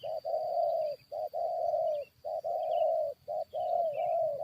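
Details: Spotted dove, used as a decoy to fight wild birds, giving a steady run of soft hollow coos in short-long pairs about once a second, with faint chirps from other birds behind.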